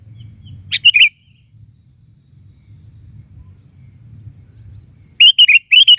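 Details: Sooty-headed bulbul uttering a short chirpy phrase near the start, then after a long quiet gap two more quick bright phrases at the end, over a faint low hum.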